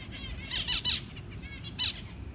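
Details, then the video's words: Zebra finch parent feeding its newly hatched tiny chick; loud nasal squawky notes in short clusters, about four strong bursts, with softer chirps between. "Finch feeding newly hatched tiny baby"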